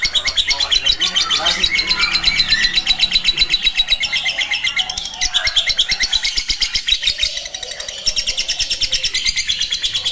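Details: Lovebird chattering in ngekek style, a continuous stream of quick, high, scratchy notes at roughly four per second, thick and overlapping throughout.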